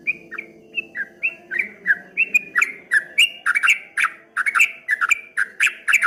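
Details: Streak-eared bulbul delivering a wave-like 'ropel ngombak banyu' song, its chattering whistled notes starting spaced and then quickening into a dense, louder rolling sequence; a soft low hum underneath.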